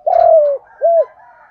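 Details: Spotted dove cooing in 'giọng thổ pha đồng' style: a long, even, slightly falling coo, then a shorter arched coo, with a faint hum trailing after it.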